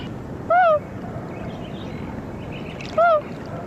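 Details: Common Loon hoot, the shortest loon call, a "hello" used in migrating groups or by parents encouraging chicks: two soft, short rise-and-fall notes about two and a half seconds apart, over a faint low hum.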